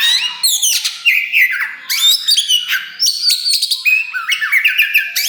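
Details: Oriental magpie-robin of the kacer wulung type, used to provoke singing and fighting spirit in other birds, gives loud whistled slurs and scratchy rattling bursts in short repeated phrases.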